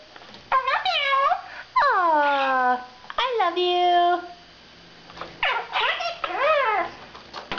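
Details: Caged male quaker parrot, aged five, chattering learned phrases: long strings of harmonic, nasal, slurred syllables with falling and arched contours, a pause, then more bouncing speech-like notes in a small room.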